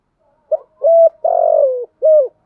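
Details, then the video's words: One full spotted dove gáy gọi phrase, used as a lure to rouse decoy doves: a brief opening note, a steady hollow hoot, a long coo dropping in pitch, then a short final coo, clear against silence. "Tiếng chim cu gáy mồi giọng lôi cuốn hấp dẫn đủ bài[ THÚC GÙ , GÁY GỌI ]"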